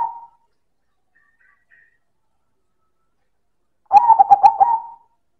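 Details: Loud manggung cooing from a silver zebra dove (perkutut): the tail of one coo, a faint thin chirp, then one full phrase of rapid clipped notes ending in a longer, steady coo.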